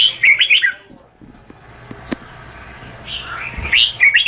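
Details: Vietnamese red-whiskered bulbul gives a lively burst of liquid, chirpy whistles. It pauses through a quiet stretch with a single click, then sings another rapid warbled phrase.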